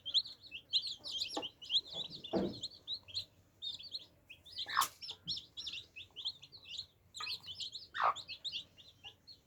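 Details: A group of baby chicks at their water keep up a busy, shrill peeping chorus, joined by occasional sharp pecking clicks and knocks.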